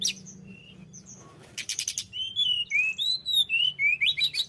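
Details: {'text': 'Snowy-browed flycatcher in persistent song as a lure for other birds: a few soft high notes, then a fast rattle of ticks followed by sweet slurred whistles repeated about three times a second.'}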